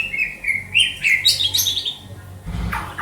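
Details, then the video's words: White-rumped shama, a kept songbird from Banda Aceh, singing varied whistled phrases: sliding notes near the low range, then a quick burst of higher buzzy, rattling notes, with a low hum in the background. "Murai batu sugeng"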